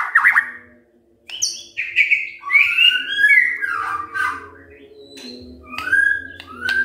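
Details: Morning singing by a white-rumped shama, played to prompt other birds to sing: rich fluting whistles rising and falling, a high thin note, softer phrases later, over a low humming background.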